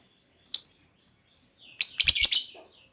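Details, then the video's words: Lure call of a female lovebird, meant to draw long trilling replies; one lone piercing chirp, a pause, then a tight burst of four or five harsh, high squeaks run together. "Pancingan Burung Lovebird Betina! Bakal Langsung Respon Lovebird Segala Kondisi Auto Ngekek Panjang"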